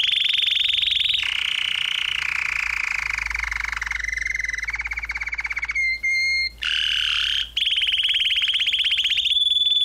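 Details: Canary song made of a chain of rolling trills, each a rapid run of repeated notes at its own pitch and speed, some buzzy and lower, some clear and high, linked by brief breaks and steady held tones.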